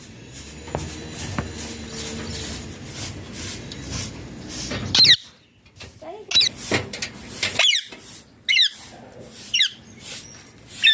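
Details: Ringneck parrot, after a quiet stretch with soft rustling, bursts into a string of sharp, high squeaky calls spaced irregularly over several seconds.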